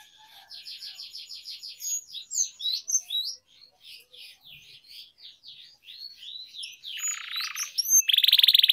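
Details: Canary song for training, kenari gacor: a soft rapid trill, then a varied run of short high twittered notes, ending in loud buzzy rattling phrases.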